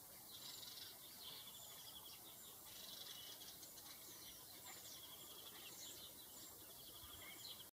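House sparrows give a steady stream of bright, overlapping chirps, several birds calling at once over a soft hiss of background noise.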